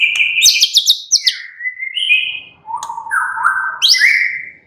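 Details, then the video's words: Murai batu, the white-rumped shama, singing relaxed: rapid high chattering notes, then smooth whistles stepping down and back up in pitch, ending on a bright rising phrase. "murai batu sudah ikut NYRECET GACOR dengan kicau Santai Murai batu ini"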